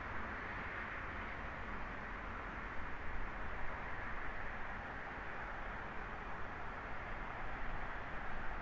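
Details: A steady soft rushing noise with low rumble continues throughout, and no animal can be heard.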